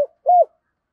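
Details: Spotted dove giving its morning calling coo in 'thúc' and 'chiêu' styles: a single short, low, level coo following a faint click, then silence.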